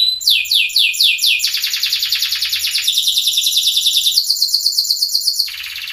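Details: Sunkist loper canary, mostly orange, in a lure recording: quick descending slurred notes lead into long high rolling trills, stepping up in pitch, ending in a softer buzz.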